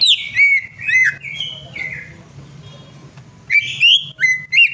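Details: Greater green leafbird song meant to get a silent bird singing: strong whistled notes, some swooping down, linked by brief buzzy phrases, a quiet gap, then a fresh burst of bright whistles, low hum throughout.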